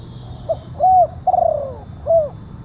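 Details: One cooing phrase of a spotted dove, known locally as tekukur, played as a lure: a faint pip, flat coo, pulsing downward-sliding coo and an arched final coo, over low hum.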